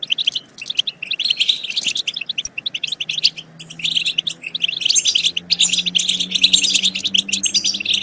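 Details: European goldfinch song for stimulating goldfinches to sing and mate: energetic, high twittering and trilled phrases, with a faint low steady hum underneath in the second half.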